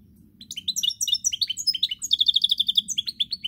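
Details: European goldfinch song from 10 November 2019: rapid liquid twittering and chirps that build into a fast run of evenly repeated high notes, over a steady low hum.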